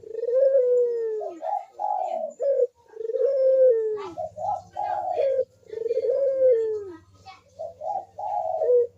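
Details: Barbary dove cooing vigorously in the manggung style, used as a lure for lazy doves. Each phrase is a long falling low coo followed by two or three short rounded notes, repeated about every three seconds, with a faint low hum.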